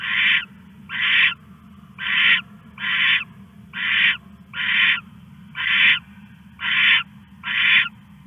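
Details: Night recording from a live owl camera, 21 August 1:41 am, as the owl stashes a rat; nine hoarse, screechy rasps spaced about a second apart, steady mechanical hum underneath.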